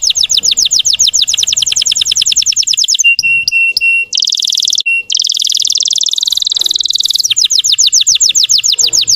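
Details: Russian canary lure song to stir untrained birds: long runs of rapid downward-slurred notes, a few ringing repeated notes, then dense buzzy rolling trills before fast slurred notes return.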